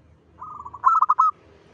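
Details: A local zebra dove singing briskly to lure others of its kind opens with a soft, trilled lead-in. Four loud, rounded coo notes follow, ending in a sustained coo over low background rumble.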